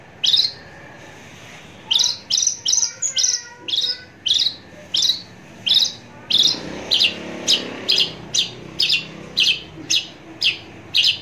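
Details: Close-up Javan bush lark giving a steady series of sharp, high, clipped notes roughly every half second, with a few softer whistled tones early on against faint background hiss.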